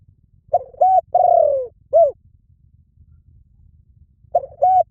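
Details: Spotted dove cooing: a short doubled coo, a long drawn descending croo, then a brief clipped coo, with the phrase starting again after a pause. Quiet background.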